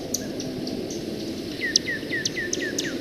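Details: A Chimney Swift gives both single chip notes and rapid chippering: high, sharp chips about two per second, with short descending chittering strokes over a low background rumble.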